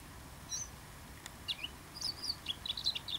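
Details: A first-winter male bluethroat sings softly at Ria Formosa Natural Park, Faro, on 30/10/2012: a quick, varied run of high chirps and twittered notes that picks up pace toward the end, over a faint low rumble.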